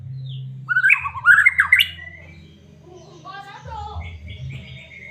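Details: Medan white-rumped shama singing to rouse caged shamas; one short burst of jumbled, rising and falling whistles lasting about a second, followed by faint chatter and a steady low droning hum.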